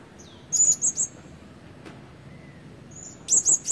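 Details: A blue-crowned hanging parrot decoy bird, used to lure wild ones and whose voice is not yet full, gives two bursts of three very high, thin, shrill notes in quick succession, separated by a pause, over quiet background hiss.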